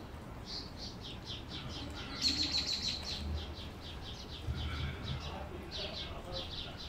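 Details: White canary singing in the United States: a fast run of high chirped notes, several each second, swelling into a brighter trilled burst midway, then resuming in quick clusters over a low steady hum.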